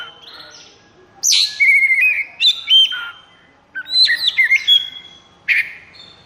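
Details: Oriental magpie-robin, said to be in 'konslet' condition with high breeding drive, delivering loud, varied song: a harsh rasp, sweet whistled notes and quick slurs in two phrases separated by a short gap.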